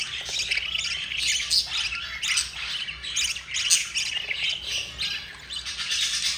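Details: Yellow mother budgerigar feeding her four chicks, which squawk in rough raspy bursts, each lasting under a second and separated by brief gaps.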